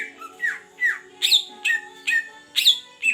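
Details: Greater green leafbird from the Beutong forest of Aceh, kept for one month, singing loud rich whistles that slur downward and upward in quick succession, roughly two notes a second, over a constant low background hum.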